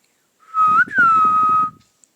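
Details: Pet parrot talking, repeating "Mithu Mithu": a clear, sustained, tonal whistled voice that rises slightly midway, breaks briefly, then holds steady for about a second, over soft low rustling.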